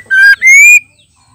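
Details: Female white-rumped shama calling to provoke males: a short, loud, rich whistle held level, then a longer note that rises gently. Nearly a second of sound, then quiet.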